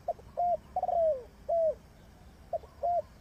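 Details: A spotted dove used as a trapping lure coos repeatedly. Brief arched notes lead into a drawn-out rolling coo that falls away, then the short notes begin again, against quiet background noise.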